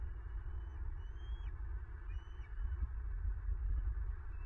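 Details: Bald eagle at a nest in Southwest Florida, recorded by a nest camera on 9 March 2023 as a female takes prey from the male M15. Two high, thin, slurred piping notes stand out over a steady low rumble of wind.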